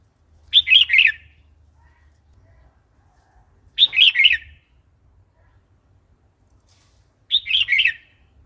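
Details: Red-whiskered bulbul singing the wild-style song known in Thai as phleng pa, used to stimulate new and wild-caught birds and to teach young ones: three short, bright whistled phrases about every three seconds, with faint low rumbles between them.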